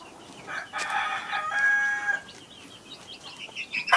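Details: Chicken at a farm with a hen and baby chicks; a loud harmonic crow of about a second and a half, then quieter high chick peeps and chirps, and another loud call starting at the very end.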